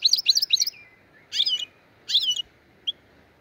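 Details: Black-headed goldfinch song, Andijan, Kuva and Fergana style. A quick triple chirp, then two separate twittering phrases and a single short note, over a soft background hiss.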